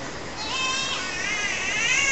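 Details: A catbird at Mary Cairncross Park, Queensland, gives a drawn-out, nasal mewing call, rich and slightly wavering, rising then bending over about a second and a half, like a complaining cat.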